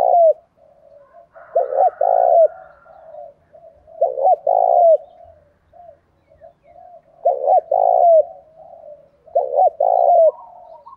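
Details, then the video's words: Spotted dove cooing in the thổ style, used to lure wild birds and make them coo back: low repeated coos in groups of two or three, each phrase following the previous one after about two to three seconds, with clear pauses. "cu gáy giọng thổ pha thúc rút đấu, giúp bổi nghe gáy theo"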